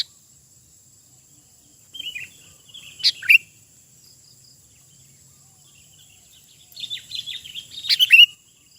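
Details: Wild sooty-headed bulbul singing in open nature: two bursts of bubbly, warbling whistled phrases a few seconds apart, with a couple of sharp clicks among them, over a steady high insect hum.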